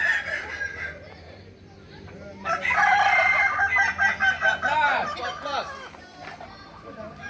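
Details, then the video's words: Kukuak Balenggek rooster crowing during a contest at Ampang Kualo, Solok, in May 2024; a loud multi-syllable crow of rapid stepped notes follows a quieter pause, with other roosters and voices faint behind. "Latberan Ayam kukuak balenggek"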